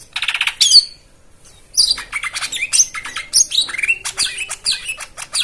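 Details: Lure song for a silent white-eye: a buzzy, harmonic-rich opening note, a pause, then fast twittering chatter of high chips and short whistled slurs run closely together.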